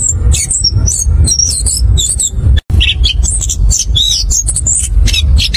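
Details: Orange-headed thrush song used as a lure to prompt other birds to sing: a rich, rolling run of varied high whistles and chattering phrases with hardly a pause, over a steady low rumble.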